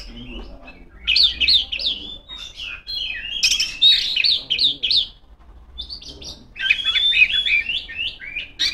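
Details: Female Oriental magpie-robin calling rivals with bursts of fast, bright whistled song, tumbling warbles and rapidly repeated notes, separated by short silences.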